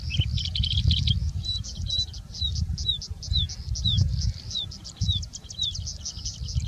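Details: Singing Bushlark in India mimicking birds such as Indian Robin and Plain Prinia, opening with a dry rattling trill, then a string of high thin notes and repeated short down-slurred whistles, against low wind-like noise.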